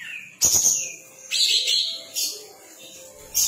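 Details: Sooty-headed bulbul, tail spread, in lively song: a descending whistle, then loud harsh buzzy phrases with softer twittering between them.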